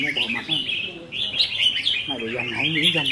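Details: In a caged singing contest practice of red-whiskered bulbuls, dated 15 May 2021, bubbly rising-and-falling notes run on continuously while a man speaks close by.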